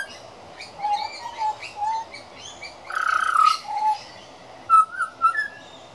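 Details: Practising juvenile pied butcherbird, one of the young birds that visit regularly: soft, fluty whistled notes in a halting series, a brief harsher burst midway, then two short bright whistles and a rising note.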